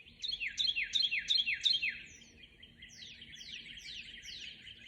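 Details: Birds in a dawn chorus on 12 March 2021, one singing a fast series of bright falling chirps, loud at first, then a softer more distant run of similar downslurred notes.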